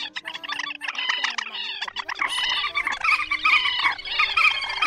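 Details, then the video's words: White-breasted waterhens give dense, overlapping croaking and honking calls in quick bursts, several voices at once over a steady low hum; a lure recording for night net-trapping of migrating birds, August 2024. "Tiếng Bẫy Quốc Mốc"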